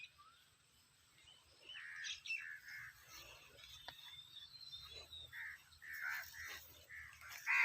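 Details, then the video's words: Summer chirping of birds in a village: rounded, repeated chirps that come more often toward the end, over a faint, continuous high insect drone and light background rustle. "CHIRPING SOUNDS OF BIRDS"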